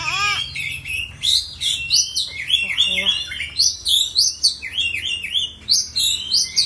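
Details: Kept Oriental magpie-robin (kacer) from a collection delivering rapid, rich song: bright rising and falling whistles mixed with scratchy chatter, phrases tumbling about three per second; a brief low human-like sound opens the recording.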